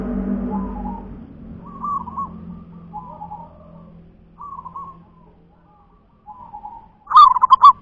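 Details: Local zebra dove repeats short, soft cooing phrases about once a second after a low rumbling background noise fades, ending in a loud, fast, pulsing burst of bubbling notes.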